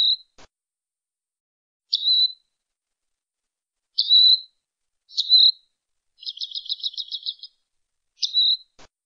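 A robin gives short, high, thin calls about every one to two seconds, with one quick chattering trill midway. No other sounds are heard.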